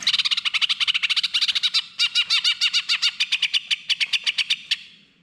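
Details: Greater green leafbird singing, played to coax a bird that has stopped singing: a long run of fast, loud, chattering notes in steady rapid succession, briefly pausing near two seconds, then continuing before fading out.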